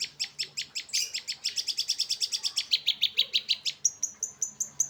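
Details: Long-tailed shrike song in the late afternoon: a quick run of high, sharp repeated notes speeding into a steady chatter, then slower, thin whistled notes.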